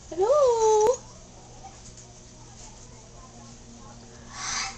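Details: Yellow-naped amazon, recently adopted, speaking a little to its owner: one strong harmonic syllable that climbs, dips and rises again in under a second, then quiet room noise and a faint hiss near the end.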